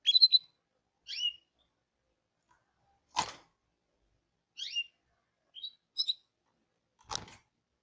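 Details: Hipi canary giving brief, high, downward-sweeping chirps spaced a second or so apart, with two sharp broadband clicks or knocks standing out among the calls.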